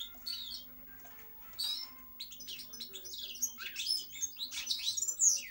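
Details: Singing European goldfinch delivering rapid tinkling twitters with short buzzy and nasal notes in a lively, uneven stream, with a faint low hum behind.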